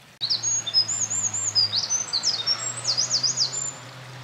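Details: Eurasian wren singing vigorously at a mountain pass on 28 April 2024, a bird seen carrying nest material: a loud, high rapid outpouring of sharp trills and zigzag notes lasting about three and a half seconds, with a low steady hum underneath.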